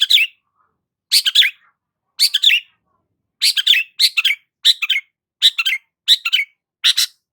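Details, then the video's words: Long-tailed shrike singing steadily, a recording meant to provoke stressed shrikes; short rasping double or triple chatter phrases repeated roughly every half to one second, with longer pauses early on. "BURUNG CENDET GACOR PALING AMPUH UNTUK PANCINGAN CENDET STRES"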